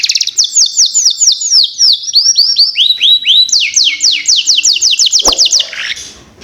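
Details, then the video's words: Canary song meant to trigger young canaries into song: a long, loud series of crisp descending notes repeated about five per second, speeding into a tighter trill before ending with a soft knock. "Pancingan Kenari Paud Cepat Bunyi"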